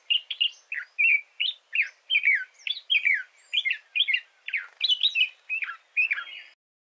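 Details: Red-whiskered bulbul singing a lively series of short, clear whistled phrases, each rising and then dropping in pitch, with about two or three phrases a second and brief gaps between them, over a quiet background.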